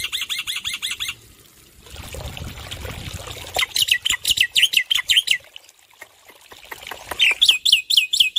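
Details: Loud male black-winged myna singing, used as training song for stressed caged birds: bursts of fast, sharp chirps in quick series, separated by a stretch of hissing background noise, then more rapid ringing notes.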